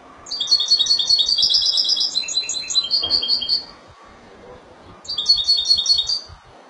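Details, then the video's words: Malaga-style Spanish goldfinch song: a long, fast stream of high liquid twitters and ringing trilled notes lasting nearly three seconds, a pause, then a shorter bright phrase resumes. "لعشاق تغريد الحسون الاسباني ( مالاقا)"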